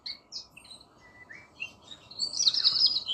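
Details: Rosella uttering scattered high chirps and short whistles, then a loud, buzzy chattering trill, over background noise.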